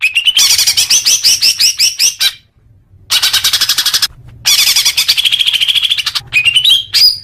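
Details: Leafbird song played as a training track for young birds: fast chattering series of high, sharp notes with short whistled slurs, in three bursts separated by brief pauses, ending in a rising whistle.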